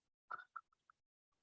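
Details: A recorded chicken alarm call warning of a ground predator, played to broilers as a negative cue: a harsh squawk, then four short, clipped clucks at an uneven pace, fairly quiet against a still room.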